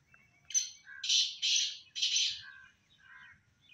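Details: Harsh rasping call of a black francolin, a short opening note followed by three loud, broad, grating syllables in quick succession, then softer trailing notes.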